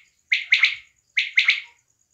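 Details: Pakistani female quail, in a hunting setting, giving two quick clusters of sharp, bright triple notes separated by a short pause.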